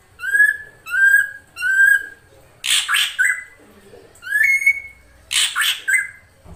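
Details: Female drongo calling to attract a male. Three rising whistles open the sequence, followed by harsh, raspy double bursts alternating with clear upslurred whistles.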